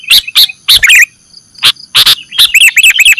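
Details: Sooty-headed bulbul recording meant to lure birds into traps: loud chirps, then a fast string of bright, bouncing hooked notes at the end, with a thin steady background tone.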